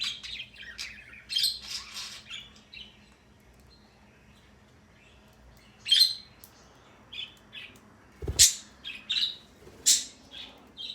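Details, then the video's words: A male parrot kept as a pet chattering in high, rasping chirps. A quiet pause of about three seconds splits two busy stretches. A sharp low click or knock is heard near the end. "it’s too long he is making this sound today"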